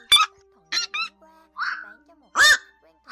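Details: Flock-calling and biting cries of Black-crowned night heron, mixed for two speakers to lure migrating birds into night nets, August 2024: loud, abrupt, raspy barks alternating with softer drawn-out nasal squawks.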